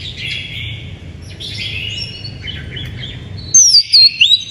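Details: Oriental magpie-robin singing, used to lure and stimulate other birds: a busy run of mid-high chirps and twitters, then a sudden loud burst of sharp, swooping high whistles near the end, over low background hum.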